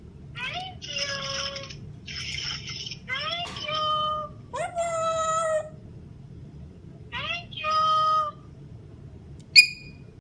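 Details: Grey parrot talking as if on the phone, mimicking a conversation; several short speech-like phrases and whistled, rising notes separated by pauses, ending with a sharp click, over a low indoor hum.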